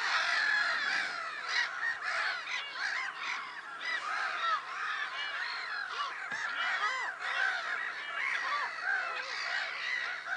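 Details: Noisy black-headed gull gathering at Lake Sarymsak, Pavlodar region, Kazakhstan, 10 April 2011: rasping cries overlap continuously, with brief louder bursts and squealing notes scattered through.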